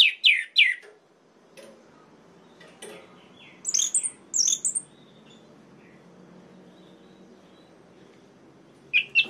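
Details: Orange-headed thrush song played to provoke other males: a few sharp warbled notes, scattered clicks, two high squeaky whistles mid-way, and a short phrase at the end amid quiet gaps.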